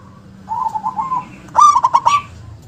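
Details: Local zebra dove noted for a big, forceful voice and sharp 'KUNG' note. A soft, wavering coo leads into a loud burst of four quick, pulsed cooing notes against a murmuring low background.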